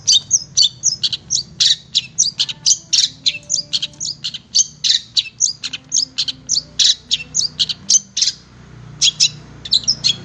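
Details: Long-tailed shrike song used to train caged birds: lively, high chattering of short clipped notes and brief whistles delivered in quick irregular bursts, with a soft low background hum.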